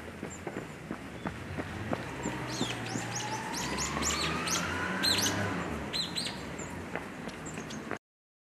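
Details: A flock of Long-tailed tits in Tokyo, Japan, in December 2018 (winter), gives thin, very high chirps and short sharp notes, several birds calling over one another at a quick pace, over a low rumble and a rising engine-like drone.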